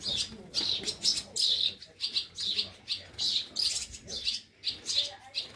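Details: Swallow nestlings in rescue care at Scharzfeld, Germany, nearly ready for release and already fluttering, beg during feeding: rough, hissing high chirps in pulsed bursts roughly every half second, several chicks calling together.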